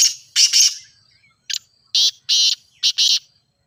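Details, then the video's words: Teetar, or grey francolin, calling in a recording meant to prompt a captive bird to call. Rapid, grating, broadband notes in quick groups: a short clipped note followed by paired, longer rasping syllables, repeated several times. "Teetar Voice for Calling"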